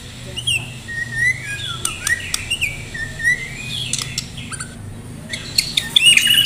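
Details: Caged White-rumped shama from Medan, in full song for contest, gives rapid whistled and chattering phrases with sharp clicks over a steady low background hum.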